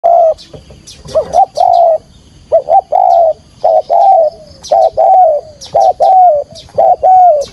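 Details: Spotted dove used as a decoy to lure wild doves into a trap, calling in the full 'thúc gù' field-voice style: low mellow coos in quick pairs, a short clipped note then a longer one, about once a second, with a faint thin high hiss behind.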